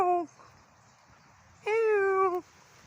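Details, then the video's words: A Black-naped oriole with yellow underparts, possibly one of a mated pair, gives two loud, nasal, cat-like notes: a short falling one, then a longer, level, drawn-out one about a second and a half later. "Black Naped Oriole grabe kakaibang ibon grabe Ang Huni Ang lakas"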